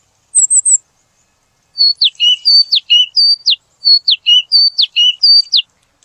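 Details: Purple sunbird: a brief trio of very high squeaky notes, then after a pause a lively string of sharp falling chips alternating with lower short notes, clean and free of background noise.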